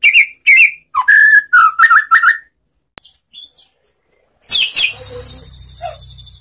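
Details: White-rumped shama, relaxed lure song for prompting answering song: bright whistled phrases in quick series, a short pause with faint notes, then a long harsh buzzy stretch with a low hum beneath.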